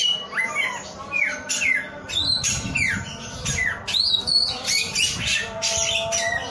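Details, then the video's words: Energetic song of a male samyong, made of sharp downward-sliding whistles mixed with some higher, rising notes, all delivered in quick succession against a constant background hum. "SUARA BURUNG SAMYONG GACOR"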